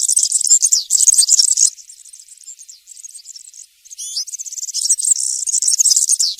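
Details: Forest-recorded European serin in the 'campero' style, played to young serins so they learn it: high buzzy jingling phrases, a softer trilled middle section with a short whistled upward slur, then a loud jangle again.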